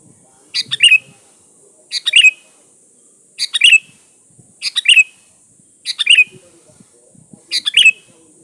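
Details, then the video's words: Lure song of a lively sooty-headed bulbul: six short phrases of bubbling chirps, each closing with a sharp whistled upslur, repeated steadily about every 1.3 seconds against quiet faint background noise. "DI JAMIN NYAUT DI PANCING SUARA BURUNG KUTILANG GACOR SATU INI AMPUH BUAT SUARA PANCINGAN"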